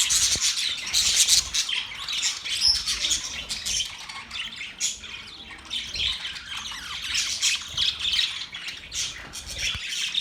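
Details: Flock of birds recorded October 3, 2023, keeping up a busy, high chirping and squawking chatter with irregular louder bursts roughly three times a second.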